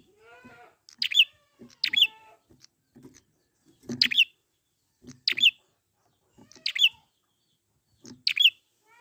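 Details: Wild prinia used as a lure so birds will sing: sharp, high chirped phrases repeated about every 1.3 seconds, six in all, with soft rustling underneath and a brief low warble at the start.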